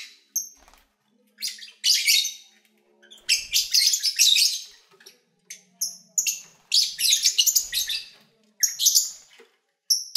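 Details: Captive lovebirds in February 2019, eating, singing and playing, give dense runs of shrill, raspy chirps in long overlapping bursts, with short gaps between the chattering spells.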